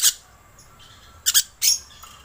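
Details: Three brief, harsh, hissing shrieks from a lorikeet used as a lure call, the last two closely spaced, with near silence between them.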